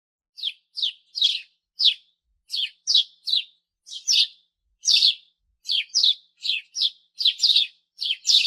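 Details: Sparrow giving a steady series of short, bright chirps, about two per second, each a quick high note with a slight downward slur, some doubled, with a clean, quiet background.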